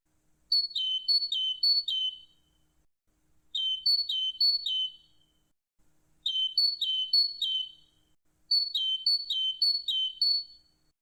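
A Great Tit sings four phrases of clear, ringing two-note whistles, each pair stepping high then lower, repeated three times per phrase like 'teacher-teacher-teacher', against a quiet background.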